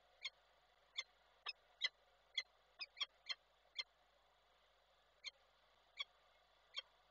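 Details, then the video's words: Rain-wet female peregrine falcon at Koszalin, Poland, on 7 August 2023, calling for her mate. About twelve short, harsh calls in an irregular series, some closely paired, with steady low background hiss. "woła samca"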